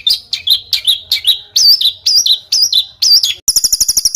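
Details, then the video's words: Harsh rolling bird song for training contest birds: paired wavering whistled notes repeated roughly every half second, ending in a fast high rattling trill. "ROLL RAPAT KASARAN || TEMBAKAN Kasar Untuk BURUNG FIGHTER"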